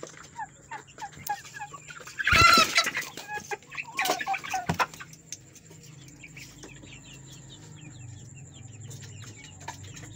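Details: Chicks said to be fighting: a series of short peeps, then a loud burst of flapping and scuffling, followed by quicker, fainter chirping from several chicks over a low hum.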